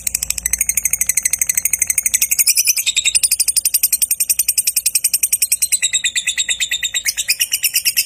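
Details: Lovebird in long ngekek song, used to prompt other lovebirds to sing: a fast, steady series of harsh, high chattering pulses, roughly two per second, continuing unbroken with a faint low hum beneath.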